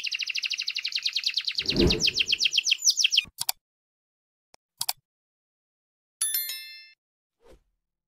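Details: Canary song: a fast trill of evenly repeated notes for about three seconds, then short clinks and a brief descending buzzy phrase between silences.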